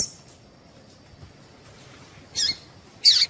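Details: Calls of a female Double-collared seedeater, used to get males singing: two sharp, high, squeaky chirps near the end, the second louder and slightly longer, after a near-silent start.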